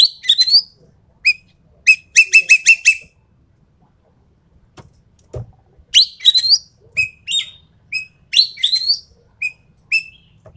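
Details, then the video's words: Sumatran treepie, an endemic Sumatran bird, in a lure or tutor recording: rapid series of ringing whistled notes in runs of four to six, alternating with harsh rising chatter, a silent gap midway, then more varied whistles and chatter. "MASTERAN/PANCINGAN BURUNG EKEK KELING SUMATERA"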